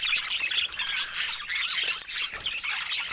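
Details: Budgerigars chattering in a bright, busy stream of scratchy chirps, short whistles and squawks, with no pause and steady loudness.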